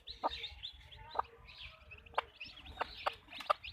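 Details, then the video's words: Hens clucking on a backyard chicken farm: sharp, clipped clucks about once a second, spaced irregularly, against soft, rising high chirps and low background rumble. "chickens clucking | hens clucking"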